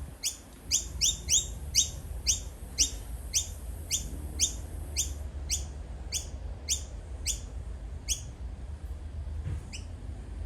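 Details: Noisy miner fledgling begging from its parent, giving about twenty short, high, down-slurred calls, quick at first and then slowing over eight seconds, with a low rumble behind.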